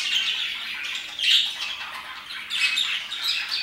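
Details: Parakeets chirping and singing energetically around 2pm, a dense flock of overlapping high, scratchy chirps and squawks in uneven bursts, with one brighter whistled note standing out.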